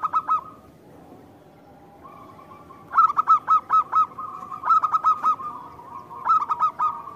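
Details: Local zebra dove singing strongly to a lure, with other doves answering at once: several quick runs of fluttering, bubbly coos, five to seven notes each, separated by pauses, over a faint steady humming tone.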